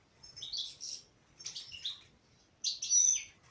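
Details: Three bursts of bright, jangling twitter from a singing female European goldfinch, each under a second long, the last loudest.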